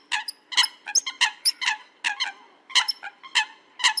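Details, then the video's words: Coot calls used for hunting: abrupt, nasal, clicking notes in quick irregular bursts, about a dozen in four seconds, some with a squeaky high edge, with no other sounds. "Coot Bird Call, Hunting Coot Bird Voice"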